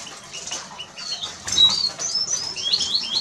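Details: Eurasian siskin song: a busy run of thin, high twittering notes and short rising and falling whistles, wheezy phrases growing louder after the first second and a half, with a faint rustling background.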